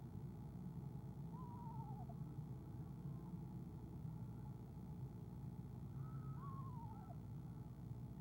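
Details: Soft trills from a nesting eastern screech owl female greeting her arriving mate in February; two short quavering downward trills about five seconds apart, low steady background rumble.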